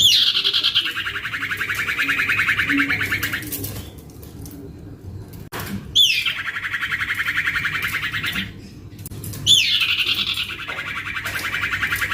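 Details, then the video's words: Noisy young male common iora, kept as a lure, repeats long rasping trilled chatters that start with a high downslurred note and buzz steadily lower, three bouts separated by short pauses, over a faint background hum. "ANAKAN CIPOH ATAU SIRTU MABOK | Manjur Pancingan Cipoh 100% AMPUH!!! (Anakan Cipoh atau Sirtu Gacor)"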